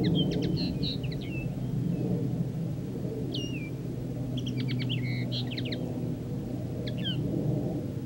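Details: Common linnet singing in three bouts of rapid twittering, with clipped chirps, buzzy trills and a few downslurred whistles high in pitch, set against a constant low droning hum.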